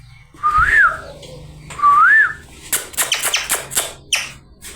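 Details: Talking parrot giving two clear whistled notes, each rising then dipping, about a second apart, followed by a run of harsh, raspy screech bursts in quick succession.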